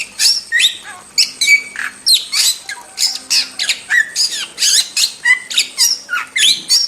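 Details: Wild starling in vigorous song, recorded as a tutor track for songbirds: a rapid, continuous run of harsh squawks, chattering notes and slurred whistles, about one burst per second.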